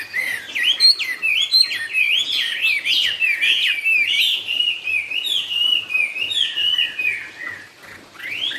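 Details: Chinese hwamei song in the cao cầu style: a continuous stream of loud, rapidly varied whistled notes, sweeping up and down and trilling, run together without pause for the full stretch.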